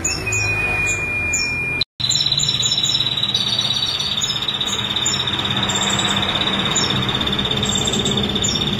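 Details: Female ashy prinia, a bird in training, singing: a few high chirps, then a long unbroken rapid trill held at one steady pitch, with faint high chirps and a broad background hiss.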